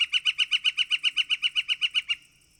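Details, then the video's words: A Northern Flicker gives a fast, even run of about seventeen loud, high 'wik' notes, about eight a second, then stops abruptly; a wicka-type call of this North American woodpecker of open woodlands, forest edges and parks. "Northern Flicker Call and Sounds"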